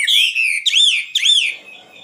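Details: Common nightingale singing: a loud, drawn-out whistled note followed by two rich, arched whistles that rise and fall, each about half a second long, then the phrase fades into quiet background hiss.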